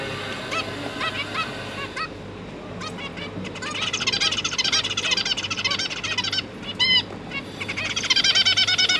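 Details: A zebra finch family, parents with three newly hatched juveniles being fed, recorded 1 October 2022: rapid, nasal, toy-trumpet beeps overlapping at about three calls per second, over a faint steady low hum.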